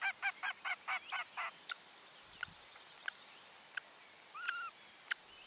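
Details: Common loon mother on a nest platform on a lake, alerting after spotting something on the water while her second chick hatches beneath her. The date is given as 7.9.23. A quick run of six loud, harmonic, evenly spaced pulses is followed by scattered thin chirps from other birds.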